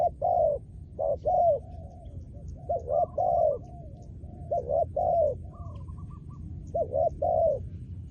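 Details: Spotted dove kept as a trained decoy bird for luring, giving repeated hollow coo phrases. Short notes lead into a longer, emphatic final coo, repeated almost continuously, with fainter higher coos between phrases and a low steady rumble underneath.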